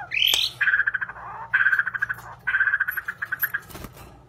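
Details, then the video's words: Murai batu, the White-rumped shama, delivering three bursts of rapid, evenly pulsed chattering notes, each about a second long, the first opened by a higher rising whistle; steady low hum in the background. "Murai Batu"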